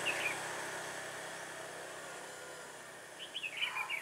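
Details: Trapping session for red-whiskered bulbul with a caged decoy bird, 21 October 2017, fighting song; a brief high whistled note opens, then after a quiet stretch a burst of quick warbled, looping whistles.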